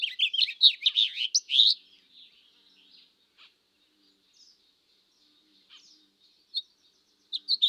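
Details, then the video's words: A goldfinch gives a quick burst of bright, tinkling twitters for nearly two seconds, then scattered thin, high notes with short pauses between them. "Gold Finch Sounds"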